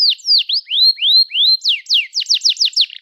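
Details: Canary song played to stimulate young or silent canaries. It begins with slow, rising whistled slurs, then breaks into quick descending notes repeated at a rapid pace.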